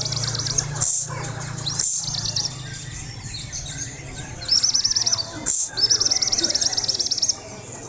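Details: High, rapid trilled bursts from a young white-rumped shama in Indonesia, separated by short gaps, with low humming noise early on.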